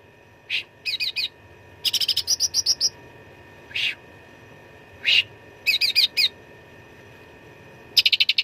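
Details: Fighting song of the cucak ranting (Black-headed Bulbul), gacor with rich 'isian' fill for training contest birds: scattered single high chips among quick chattering trills, one long rattling run near the start and another at the end.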